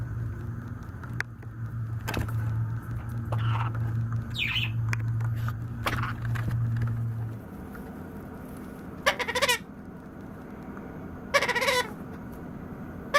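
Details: Hungry White-capped Pionus chick about nine weeks old, a pet baby learning to balance, gives two short harsh harmonic begging cries, each under half a second, late in the clip, after a stretch of low hum and handling noise.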